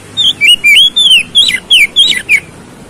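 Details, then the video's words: Oriental magpie-robin (kacer) song to spur a fighting response: a fast string of about eight sweet, slurred whistles, some rising, some falling, closely spaced across nearly three seconds. "PANCINGAN KACER CEPAT RESPON NGOTOT TARUNG"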